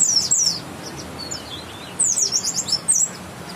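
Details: West Java white-eye, grey-white breast with yellow line, giving two quick bursts of very high, thin twittering notes tumbling downward, separated by a quieter gap with faint chirps.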